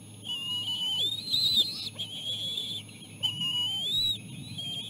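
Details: Bald eagle chicks fed seal placenta by their mother, the youngest gobbling it and chasing off its sibling. Two long, high whistled squeals, each with a falling lower note, over a persistent low hum.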